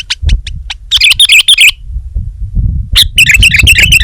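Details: Sooty-headed bulbul, locally called kutilang, singing energetically: sharp clicking notes, then two bursts of quick bubbly whistled phrases around one second long, separated by a pause, with low rumbling background noise.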